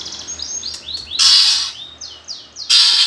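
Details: Lure recording of a greater green leafbird's 'gereja tarung' fighting song, meant to provoke competition birds: a string of short sliding whistled notes interrupted by two loud harsh, rasping bursts.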